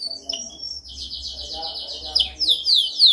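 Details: Canary singing a dominant training song: a high sustained buzzy trill, then rising sweeping notes and bright slurred phrases climbing toward the end, over a faint low hum.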